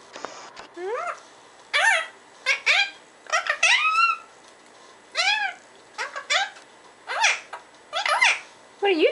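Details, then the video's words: Pet parrot babbling speech-like gibberish: a rapid string of short, rising and falling harmonic syllables, like chattered words, broken by brief pauses over nine seconds in a quiet indoor room. "Parrot gibberish"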